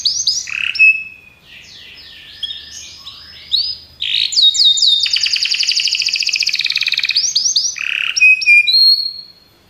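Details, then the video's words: Belgian canaries sing varied slurred whistles, then a long even rolling trill, ending in sharp chirps and a steady high whistled note. "Os canários belgas cantam espetacularmente"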